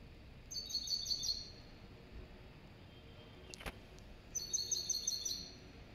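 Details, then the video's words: Serin × goldfinch hybrid singing two quick bursts of rapid, high twittering notes, each about a second long, with a sharp click in the pause between them. "تغريد هجين السمريس كهجين الحسون"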